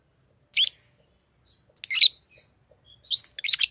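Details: Pet green Fischer's lovebird chirping in scratchy, high bursts: one sharp chirp, a brief pause, then a double chirp and a rapid cluster of rasping notes near the end.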